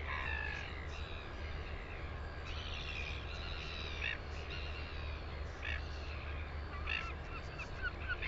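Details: Northern royal albatross, New Zealand, recorded 9 September 2020. A harmonic call opens the clip, followed by scattered short, harsh notes spaced over eight seconds, all against a steady background of wind.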